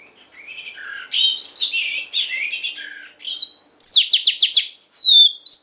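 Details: Female Oriental magpie-robin singing to stimulate the male: varied whistles and slurred notes, a long falling whistle, then a fast burst of five sharp repeated rising notes and a final clear whistle.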